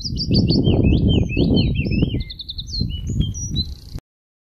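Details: A lively wood warbler delivers a varied phrase of high chirps, some dropping and some rising, over a constant low rumble. The sound cuts out abruptly near the end.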